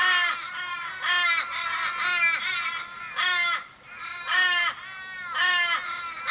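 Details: A flock of Australian ravens around a dying raven in Kellyville, Sydney, 1 July 2012; about six long, harsh caws, each drawn out and falling at the end, spaced roughly once a second with short gaps.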